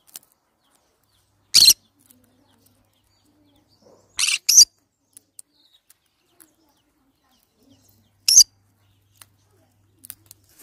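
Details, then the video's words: Green-cheeked conure uttering a few sharp, harsh squawks, one single, then a quick double, then another single several seconds later, with faint clicks in an otherwise quiet setting. "green cheek conure sounds"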